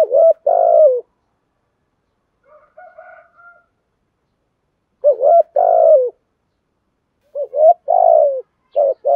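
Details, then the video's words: Spotted dove cooing in the 'giọng thổ' voice style used to provoke rival males. Three loud phrases of mellow, low coos, each a short lead note then a longer burry coo, with faint softer cooing notes between the first two phrases. "Tiếng chim cu gáy giọng thổ giọng hợp bổi/ cu gay kich boi nhanh noi gù"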